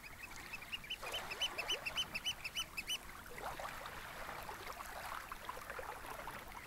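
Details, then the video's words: Eurasian oystercatchers on sandy Snettisham Beach, Norfolk, late on a spring evening: a quick run of shrill, squeaky piping notes about four per second, then a dense chattering flurry of other bird calls over softly lapping, almost still water. "Gentle Waves and Oystercatchers at Snettisham Beach, Norfolk"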